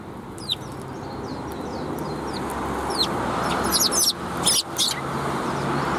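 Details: Greeting sparrows on the way out, 16 April 2021: light high chirps early, then a denser cluster of sharp chirps later, against steadily rising low background noise.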